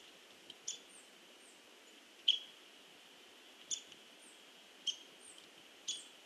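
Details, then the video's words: Hairy woodpecker pecking at a tree: a few sharp, isolated taps, roughly one a second or slower, against a quiet, hissy background. "HAIRY WOODPECKER PECKS AT TREE"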